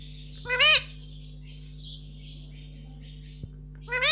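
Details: Caged pet Indian ringneck parakeet talking indoors, saying "mummy" in loud, rising harmonic bursts at the beginning and end, with faint chattering between them and a constant background hum.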